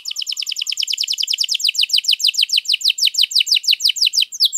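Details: Canary song for luring or tutoring other birds: a steady, very rapid series of descending whistled notes, about six a second, ending in a rising sweep, with faint low chirps at the start.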